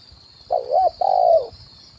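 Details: Spotted dove decoy coo, 'kuk 1' type on branch and ground, for luring wild birds: a wavering first coo and longer level hoot sliding down at the end, faint low rumble and high whine.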